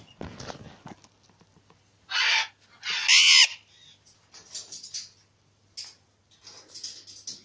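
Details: A recessive pied Alexandrine parakeet pair gives two loud, harsh screeches about a second apart, the second rising then falling, between softer rasping chatter and faint background sounds.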